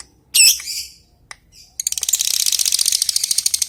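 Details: Lovebird calling an opponent: one loud screech and a faint tick, then a fast, steady, ratchet-like chattering rattle that fills the rest of the clip.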